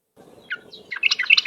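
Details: Yellow-vented bulbul lure recording: a short rising note, then a quick bubbly run of chattering notes growing louder, over a steady low hum.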